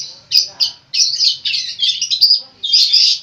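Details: Long-tailed shrike in full song with mimicked phrases, a continuous rich warble of high scratchy chatter and whistles with a short pause before a final burst.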